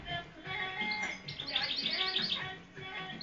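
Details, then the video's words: European goldfinch, said to have a very beautiful voice, delivering a fast run of bright, high tinkling notes and brief trills over low murmuring background sound. "مقنين له صوت جمييييل جدااااا"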